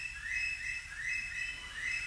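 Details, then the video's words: A very noisy curlew gives loud whistled notes that rise and fall, repeating about every three-quarters of a second, over a steady high insect-like hum. "That's the sound of a bird called a curlew."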